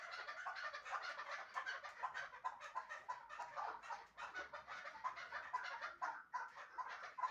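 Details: Hunting chukar partridge from Shahritus giving a long run of rapid, harsh chuckling pulses, closely packed and uneven, swelling and fading repeatedly for over seven seconds.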